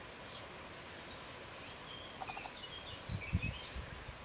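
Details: Eurasian tree sparrow nestlings in a nest box, a day before fledging, give thin, high, hissy chirps about every half second, with a few lower notes, over dull knocks and faint background noise.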